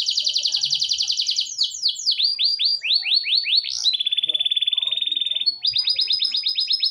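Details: Canary pours out continuous song: a fast pulsed trill, a series of swooping falling notes, a steady flat buzzing trill, then a run of quick rising notes.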